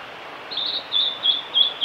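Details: Singing male blue-and-white flycatcher, recorded 5 May 2018 on the Kanazawa forest road by Lake Miyagase, Japan: four bright, high whistled phrases in quick succession, each a short warbled slur, delivered about every third of a second.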